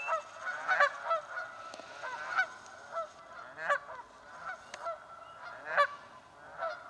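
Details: Repeated raucous honking from Canada geese fighting for nest spots in a swamp, many short blaring calls from more than one bird crowding together.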